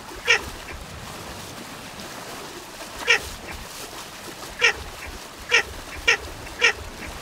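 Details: A Baer's pochard (Aythya baer) utters six short nasal calls, widely spaced at first and then quickening to roughly one every half second, with soft background hiss.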